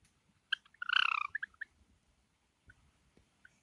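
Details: Sharp chip from a pet Java sparrow, light silver ino or sakura, indoors in summer, followed by one intense buzzing, pulsed note and a few quick clear notes, then faint soft chips.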